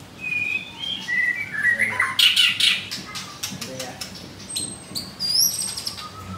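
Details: Caged white-rumped shama, described as singing energetically, at a bird shop in Kemayoran, Jakarta, Indonesia. Rising whistled notes lead into a burst of sharp clicking notes, then high thin whistles, with a steady low hum behind.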